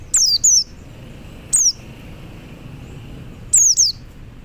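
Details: Male Oriental white-eye calling to other white-eyes: thin, very high whistles sliding downward, given singly or in quick pairs, about every one to two seconds, over faint low background noise.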